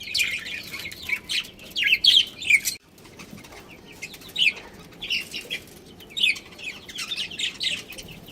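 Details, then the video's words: Pet budgerigar breeding pair chattering in irregular high chirps and warbling notes, denser at the start, then after a brief pause continuing with scattered chirps. "Cute Budgies Chirping Sounds"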